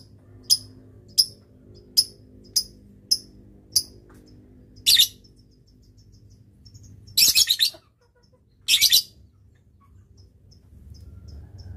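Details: Lovebird kept as a training tutor bird, giving a long chattering series known as ngetik and ngekek: six sharp evenly spaced clicks, then three dense buzzy bursts, the last two near seven and nine seconds, over a quiet low hum.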